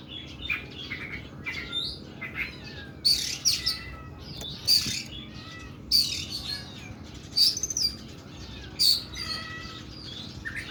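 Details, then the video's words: Kuku bima oriental magpie-robin delivering a long, coarse bursting song, with scratchy high rasps and quick chirps alternating with thin whistled slurs, loud harsh phrases spaced irregularly about every one to two seconds. "KACER KUKU BIMA NEMBAK PANJANG & KASAR"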